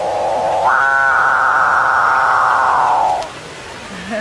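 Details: Capuchinbird delivering a single sustained, rich, mooing note lasting nearly three seconds. It jumps slightly upward near its start and fades with a small dip at the end.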